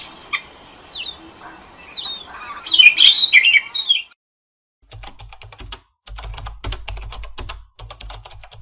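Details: A Siberian rubythroat, apparently recorded in April 2021, sings a few seconds of high, varied whistles and warbling notes, then dry rapid clicking like typing on a keyboard.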